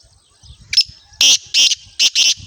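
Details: Black francolin in Sindh, Pakistan: a brief thin note, then four loud, harsh, grating bursts in quick succession, the last two close together, over about a second, with faint low rumbling between them.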